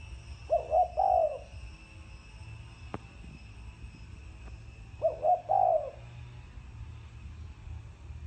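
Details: Spotted dove giving two low coo phrases in the thổ sấm style, roughly five seconds apart, each a pair of quick notes leading into a longer mellow coo; one sharp click between them.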